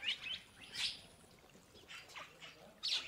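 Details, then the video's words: Purple starling calling: loud, rasping high chirps and short harsh bursts, separated by quieter scratchy notes, with a brief faint thin whistle near the start. "Purple starling (Lamprotornis purpureus) | sound | call | song"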